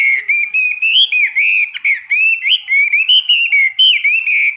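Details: A caged Chinese hwamei, a seasoned bird, sings in a daily 15-minute morning training session. The song is a loud, continuous, fluid warble of bright whistled phrases that bend up and down, with short breaks between them.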